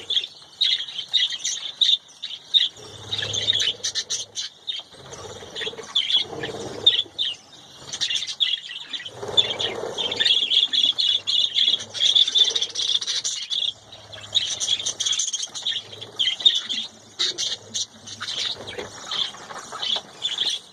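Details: A flock of captive budgerigars eating spinach during the breeding season chatters continuously with rapid, scratchy warbles and bright chirps.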